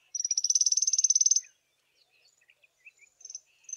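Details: African firefinches, a small group basking in sunshine on a cold South African morning: one fast, high, evenly pulsed trill lasting over a second, then quiet scattered chips and short high notes.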